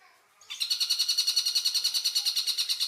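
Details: Stork-billed kingfisher, in a recording used as a master track to train songbirds such as magpie-robins and white-rumped shamas, giving a clear, harsh chatter of rapid rasping notes, about seven per second, that begins after a brief quiet lead-in.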